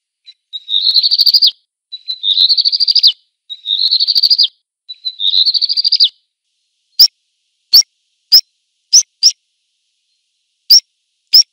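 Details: Black redstart repeating a high, rising, crackling phrase four times, each about a second long, then switching to single sharp clicking call notes at irregular intervals; no other sounds.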